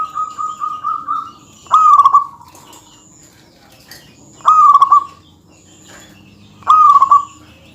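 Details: A lively local zebra dove sings to provoke rival birds. A soft run of short staccato coos opens, then three loud warbling trills follow, spaced about two and a half seconds apart, with quiet pauses between.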